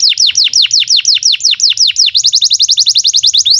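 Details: Canary long master song for young or silent canaries: steady series of clear whistled notes sweeping downward about four per second, then switching to a faster, tighter tour of short high rising notes.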